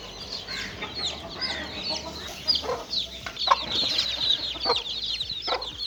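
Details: Little chicks playing: many chicken chicks chirp in quick, high, sliding peeps, crowded and overlapping, with soft lower clucks now and then.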